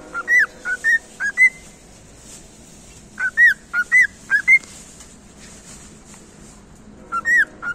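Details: Song of a cockatiel: the same phrase of five or six clear rising and falling whistles repeats three times, about every three to four seconds, over a soft hiss.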